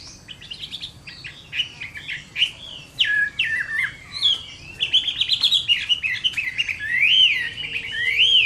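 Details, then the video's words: Summer midday fighting song of a Chinese hwamei, opening with choppy varied notes, then rich fluty warbling and rapid trilled phrases that grow louder toward the end. "HỌA MI CHIẾN HÓT TRƯA HÈ"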